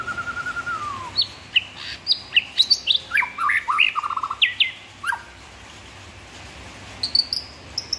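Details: Shama song: a flat whistle sliding down, then a burst of sharp varied chips and slurs with a short rattled trill, a pause, and a few thin high notes at the end.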